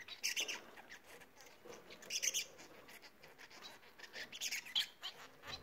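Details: Bengalese finches in song, giving repeated short bursts of high scratchy notes mixed with thin whistled tones, roughly every two seconds, over a soft hiss.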